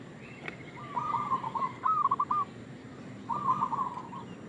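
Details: Zebra dove, a local strain, giving its luring call: a lengthening burst of staccato coos that swells into a stronger trill, followed after a pause by one more short phrase.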